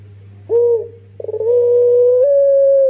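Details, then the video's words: Pelung-style cooing from a young Barbary dove used as a lure: a brief swelling note, a pause, then a pulsed onset flowing into a long sustained tone that steps slightly higher near the end, with a low background hum. "Puter PELUNG MUDA tapi suara JUARA, buat pancingan pasti TOKCER"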